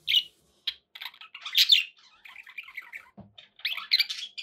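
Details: Indoor pet budgerigars give short sharp chirps and a louder squawk, then a low scratchy murmur of chatter before a fresh burst of twittering.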